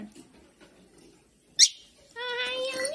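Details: A lovebird playing with a ball gives one sharp, high chirp, then a drawn-out nasal, voice-like call that rises at the end, against a quiet room.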